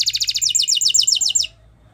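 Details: Spanish Timbrado canary song used for training canaries: rapid high trill of repeated notes, about twelve per second, stopping abruptly after a second and a half, then quiet.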